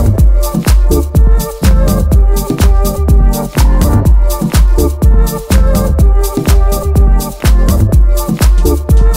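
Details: Loud house-style dance music with a steady thumping beat and bass, no animal sound heard.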